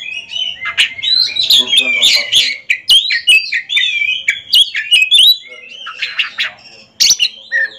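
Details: Oriental magpie-robin singing during a head-to-head ring contest: a fast, dense run of chattering, buzzy and whistled notes with rapid shifts in pitch. A brief clearer whistle comes near the end.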